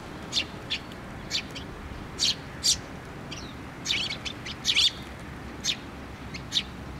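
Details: Sparrows at a feeder on a post at a Tenmangu shrine, 24 June 2023, trade bright chirps in irregular pairs and short bursts, some notes doubled, over quiet background noise.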